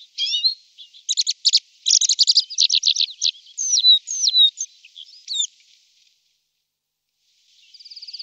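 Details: Tree pipit (Anthus trivialis), a small migratory bird, sings in Poland: high, rapid bursts of repeated notes and dry trills, then slurred whistles, and a fast buzzy series after a short pause.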